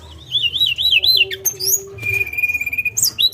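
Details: Lesser shortwing song: wavering, undulating whistled phrases, then a long steady whistle and quick high notes, over a faint steady low hum.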